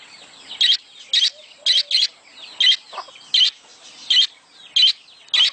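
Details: Budgerigars making a mating sound to prompt breeding: a steady series of about ten piercing chirps, some doubled, spaced by gentle chattering warble and a few low squeaks.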